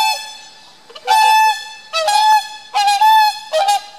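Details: Whooper swans calling as a pair-bonding display: loud, brassy, trumpet-like honks, each held about half a second, given in an uneven series of four or five with short gaps.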